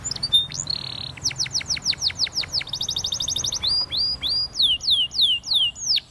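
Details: Timbrado canary from Spain singing for training purposes: brief buzzy tour, a run of quick downswept whistles, a rapid bell-like roll, then evenly spaced slurred notes dropping in pitch.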